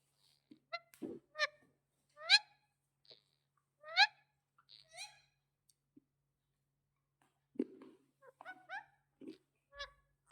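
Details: Talking parrot uttering a loose series of short, harsh, nasal squawks and honk-like syllables, several close together, then a quieter stretch before another cluster of rough calls and clicks.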